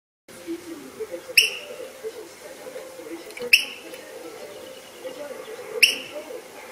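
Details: A noisy Eurasian oystercatcher in the inner harbour of St Andrews, Fife, Scotland, gives three loud, piercing single peeps spaced about two seconds apart, over a steady low rumble of harbour background noise.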